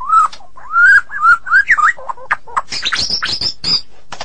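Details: Medan White-rumped shama singing: low mellow whistled slurs rising in pitch, then a burst of higher scratchy, buzzy notes and chatter.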